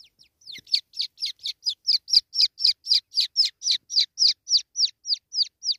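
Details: Wild francolin chick in the jungle, caught by hand. It gives high, thin, downslurred peeps in a fast, fairly steady series of about three to four per second. The background is otherwise quiet.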